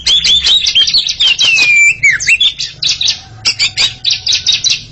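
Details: Two Oriental magpie-robins trade song in a duel, a dense stream of buzzy chatter and descending whistled slurs, followed by rhythmic clipped notes repeated several times a second, with faint low hum.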